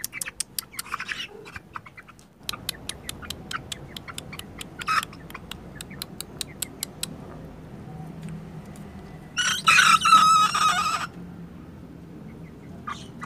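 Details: A 2.5-month-old laughing-chicken (ayam ketawa) cockerel, crowing repeatedly after being provoked with a cricket, gives a brief, squeaky, wavering crow after a run of sharp clicks.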